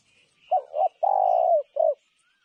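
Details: One spotted dove phrase: two short coos, a long vibrating coo, then a crisp closing note. A thin, high twittering from another bird runs softly behind it.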